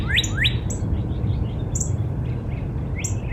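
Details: Spring backyard cardinal giving two quick upward-sweeping whistles, then falling quiet while faint high chirps from other birds continue over a steady low hum.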